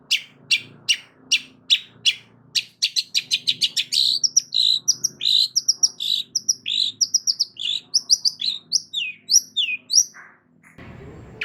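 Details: Long-tailed shrike in loud song, played to coax quiet shrikes to answer: sharp repeated notes quicken into a chattering rush, then turn into varied squeaks and chirps, ending in a brief burst of noise.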